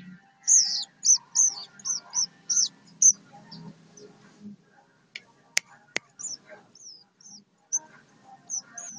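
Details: Olive-backed sunbird, locally called sogok ontong or sriganti, singing actively in Solo, Indonesia: a run of about eight sharp, very high, downslurred whistled notes in quick succession, then a pause and a few more high notes, with clicks and a low hum behind.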